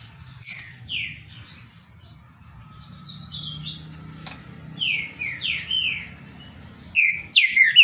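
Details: A captive green-winged saltator of the Paraná type sings phrases of rich, slurred whistled notes, some falling, some rising, ending in a louder, brighter burst over a faint low hum.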